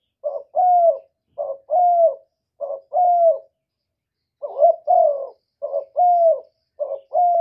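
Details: Spotted dove cooing in the 'một hậu ròng' calling style: a short note then a long, gently falling coo, repeated about six times, with one brief gap partway through and no other sounds.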